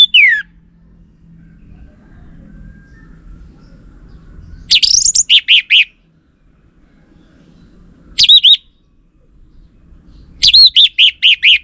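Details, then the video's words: Orange-headed thrush (Geokichla citrina), likely a female since it is described as not singing, giving loud, high phrases: a falling whistle, then bursts of rapid, sharp, repeated notes with rising sweeps, separated by quiet gaps. "Burung ANIS MERAH"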